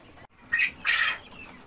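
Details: Cochin chickens kept in farm cages: two quick, loud squawks, the second longer and harsher, over a low, busy background.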